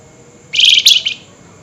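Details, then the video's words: Flameback (flamboyan) at night, highly agitated, giving one harsh, rapid chattering burst of about two-thirds of a second, dense, scratchy and high-pitched, over quiet background. "Tembakan Burung FLAMBOYAN GACOR Nyerecet Emosi Tinggi DiMalam Hari"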